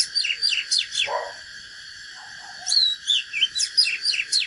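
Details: Oriental magpie-robin, natural bird, singing a fighting song: a rapid series of piercing whistles and steep slurs, a brief pause with low soft notes, then another fast whistled burst.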